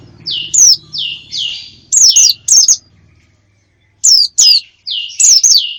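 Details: Used to lure wild birds: paired high chirps, each sweeping down sharply, repeated in short groups. A clear pause falls midway and faint low humming sits under the first part.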